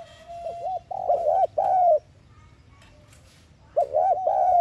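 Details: Spotted dove giving a decoy coo in the thúc gù style, played to stir caged doves into cooing. Mid-pitched arched coos are joined into a rolling phrase, then a pause of nearly two seconds and a second phrase.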